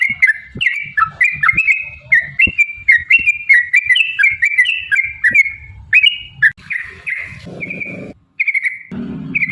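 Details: Sooty-headed bulbul singing a long rapid 'ropel' phrase: fast, gurgling whistled notes rolling in quick succession, then a few separate drawn-out whistles near the end, with faint low thumps and rustling behind.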